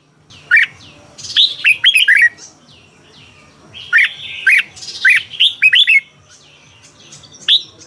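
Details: Red-whiskered bulbul kept as a cage bird in Thailand, doubled-style song. Clear hooked whistle phrases are mixed with a couple of harsher, scratchy squawks, with gaps of quiet between bursts.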